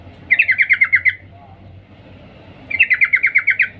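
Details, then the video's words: Female sooty-headed bulbul calling to the male: two quick bursts of about eight sharp chattering notes each, mid-pitched and slightly falling, separated by a pause of over a second, with low background hum. "Suara trucuk Betina memanggil Jantan Cuk cuk"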